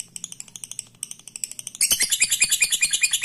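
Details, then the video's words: Softer clipped lovebird notes, ticking in short runs, suddenly swell into a loud, fast 'ngekek' chatter of shrill grating pulses, the long trill used to provoke rival lovebirds. "Suara burung Lovebird ini ampuh bikin lawan jadi ngekek terus"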